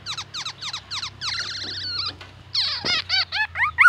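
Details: Black-naped oriole mimicking the oriental magpie-robin: quick falling whistled notes, a long wavering trill, a short gap, then a dense burst of slurred notes and arched whistles.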